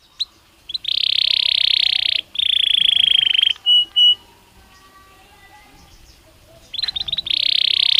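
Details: Belgian canary singing naturally: long, dense buzzing rolls held for over a second each, two short pure notes, a quiet pause, then another sustained roll.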